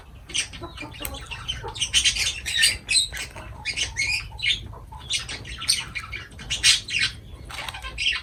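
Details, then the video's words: Lovebirds calling during feeding, dense bursts of piercing high chirps and squeaks, several birds together, brief gaps between busy stretches. "Love birds voice sound"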